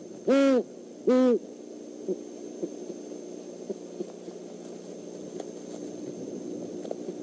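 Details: Overnight visit by a male and female great horned owl to a Decorah eagle nest, 17 December 2014: two deep, resonant hoots about a second apart, followed by near-silence with faint scattered ticks.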